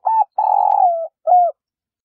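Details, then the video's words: Female spotted dove calling to stimulate males to coo: a rough, sustained mid-pitched coo sliding slightly downward, then a short separate falling note, in quiet surroundings. "chim cu gáy mái thúc bổi kích trống gáy hiệu quả"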